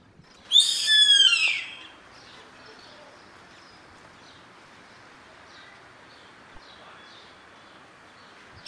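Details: Yellow-headed caracara calling in the wild. One loud, harsh, buzzy scream of about a second and a half slides downward. Fainter short calls follow in the background over steady hiss.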